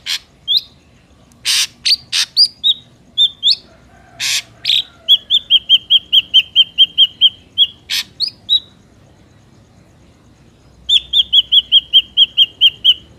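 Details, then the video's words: Ashy drongo song played to lure wild drongos for trapping: sharp harsh bursts and varied whistles open, then long runs of rapid, even, clear whistled notes repeated many times, with brief pauses between series. "SUARA BURUNG SRIGUNTING ABU ASLI SUARA ALAM"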